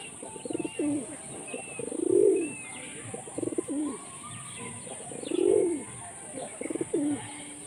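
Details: A hunting pigeon in Jessore, Bangladesh, coos in low throaty bursts, with longer swelling notes around two and five seconds, over steady background hiss and faint distant chirps.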